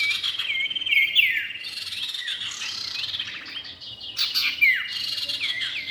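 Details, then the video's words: Male and female cipow calling together as bird lure: busy high-pitched twittering with repeated short upslurred and downslurred whistles, loud bursts near the start and again past four seconds, continuous overlapping chatter. "pikat burung cipow jantan dan betina"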